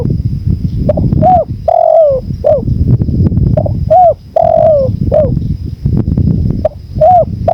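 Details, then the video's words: Spotted dove coo phrases repeated three times, short notes leading into a drawn-out descending coo, set against loud continuous wind. "MASTERAN TEKUKUR 2024||PADUAN suara ANGIN ALLAM"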